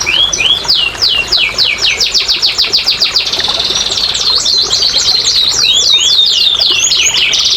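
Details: Canary song used as therapy and a lure to stimulate lazy, quiet canaries to sing: fast series of high downslurred whistles, a rapid trill, then looping swept notes, continuous and bright.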